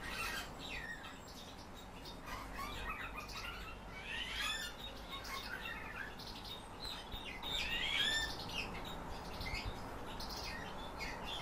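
Several house martins trade dry, scratchy chirrups and twitters, uneven but frequent, over a steady low background hum.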